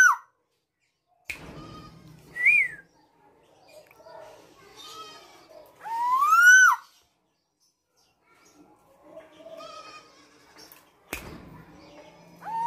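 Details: Captive, tame female black-naped oriole in lively song gives short, scattered whistles, one brief rising note, then a loud, rich upward-sweeping whistle with a quick downturn, amid quiet gaps and a sharp knock.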